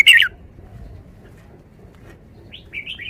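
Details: Red-whiskered bulbul song style, a 5-syllable forest song: a short bright whistled burst at the start, then quiet, ending with faint wavering whistled notes; steady low background hum.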